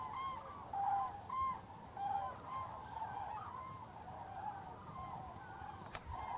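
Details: A crane flock at Tablas de Daimiel, Spain, in November 2012, giving bugling, trumpeted notes with a few clear drawn-out tones over a steady background murmur of distant calling birds.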